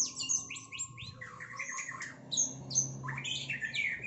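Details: White-rumped shama (murai batu) delivering sharp 'tembakan' song bursts aimed at a rival: fast, varied whistled phrases and quick descending slurs, mostly high-pitched, with brief pauses between rapid runs.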